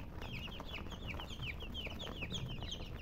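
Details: Chirping chicks: quick, bright, high peeps that each drop in pitch, packed closely together and running without pause above a low constant hum.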